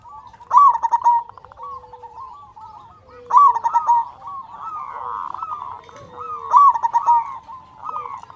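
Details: Local zebra dove, a loud, eager singer used to stimulate lazy or silent doves, repeats a bright stuttering coo phrase three times at roughly three-second intervals amid soft background cooing.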